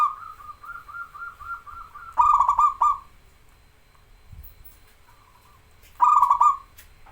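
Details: Local zebra dove in vigorous song, used as a master recording to train and stir up birds that rarely sing: a long run of soft, even coos, then two loud stuttering phrases ending in a rolling trilled coo.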